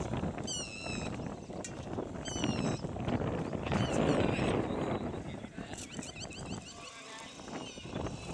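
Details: Three yellow-wattled lapwings calling in alarm while in flight give sharp, high, ringing notes in quick bursts over a steady low rumble of wind or traffic.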